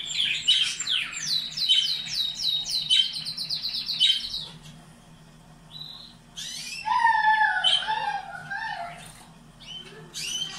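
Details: Caged canaries for breeding, song meant to stimulate them: rapid descending repeated notes about three per second, a pause, then twisting warbled phrases with lower whistled slides.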